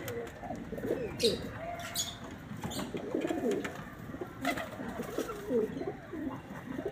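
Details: Pigeon cooing: low, throaty rolling coos around several hundred cycles, rising and falling in repeated phrases, with higher chirps and faint clicks from other birds in the background.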